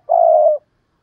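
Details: Spotted dove cooing in the 'gáy thúc' and 'gáy gọi' styles: a single steady, hollow, half-second coo that drops slightly at the end, then quiet.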